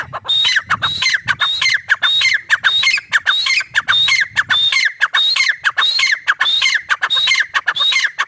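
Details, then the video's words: Sustained calling of a grey francolin, called teetar locally. Over eight seconds, a tireless string of piercing phrases repeats about every half second, each a high whistle slurring down into coarse, stuttered notes. Some low background rumble appears early. "Teetar ki awaaz // teetar sound // gray partridge sound"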